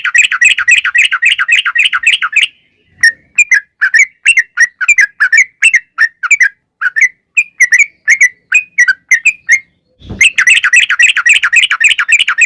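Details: Yellow-vented bulbul in long rapid 'ngalas ropel' singing, used as a lure to provoke other bulbuls to sing: dense bursts of chirpy, bubbly notes, then spaced whistled phrases repeated about twice a second, then another dense burst.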